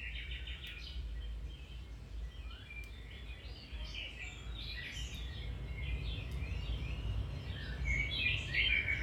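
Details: Domestic canary in full song, for training a canary's singing; rapid repeated notes open, followed by rolling chirps and whistles that grow louder toward the end, over steady low background noise.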